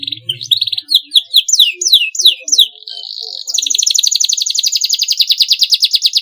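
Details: Canary singing a clean, long, lively song: a series of sweeping chirped notes followed by a long fast trill of pulsed notes repeated about three times a second.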